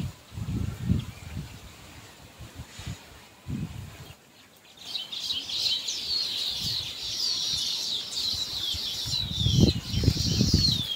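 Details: Pair of zebra finches: scattered low knocks and rustles, a brief lull, then steady, rapid, high-pitched buzzy chirps and squeaks that continue to the end.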